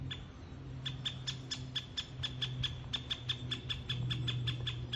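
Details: Great spotted woodpecker of the Hokkaido form (Ezo), in Hokkaido: a steady series of short, sharp, clicky notes about four to five per second, over a constant low rumbling hum.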